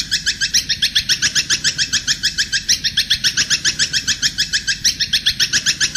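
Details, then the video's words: Kuntilanak bird song, clear, used as a training recording for cendet, murai batu and kacer songbirds: a fast, steady run of high, sharp chirping notes, about three to four per second, continuing throughout over faint low background hum. "MASTERAN KUNTILANAK Jernih"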